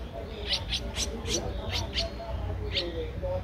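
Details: Nestling Streak-eared Bulbul, 13 days old, Ubon Ratchathani, Thailand: a handful of quick high chirps in a loose cluster, then a pause and one more, with faint low hum and murmur beneath.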